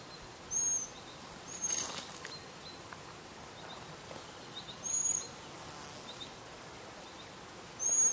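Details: A young Eurasian pygmy owl perched on a branch in forest in the Jura, Switzerland, calls to its parents with thin, very high, hissing squeaks every few seconds, against a soft background hiss.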